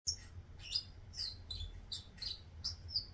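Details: Bourke's parrot song: a lively string of short, bright chirps and twittering notes, some ending in sharp whistled peaks, coming about every half second over a steady low hum.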